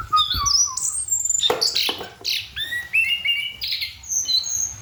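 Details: Orange-headed thrush giving a night song in open masteran style, with clear slurred whistles, falling and rising phrases, sharp chips and high thin notes mixed in a rich, varied sequence.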